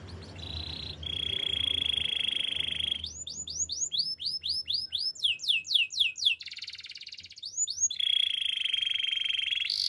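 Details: Canary training song: steady buzzing trills held at one pitch, then a run of quick high rising sweeps repeated several times a second, before the flat trill returns.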